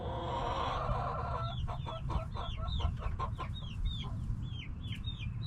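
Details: Backyard hens and roosters making a lot of noise: a drawn-out harmonic squawk gives way to a run of short, sharp clucks, with high thin chirps repeating over a steady low rumble.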